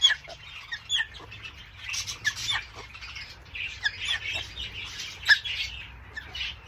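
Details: Major Mitchell's cockatoos, the pink cockatoo, kept as aviary birds: harsh, rasping screeches in quick irregular bursts, several calls overlapping, over a steady low hum.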